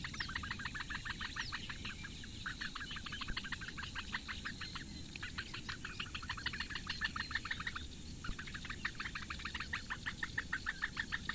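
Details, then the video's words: Four Eurasian bittern chicks in a reedbed nest at Lake Engure, Latvia, begging as the female feeds them, 15 May 2017 at 08:46, webcam: fast runs of short ticking notes, several per second, with brief pauses between bursts. "Latvian Bittern~Breakfast for the four chicks~"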